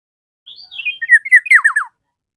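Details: Black-naped oriole calling a rival: a soft high whistled phrase, then a burst of loud rich notes that slide downward, quickly repeated, lasting about a second and a half.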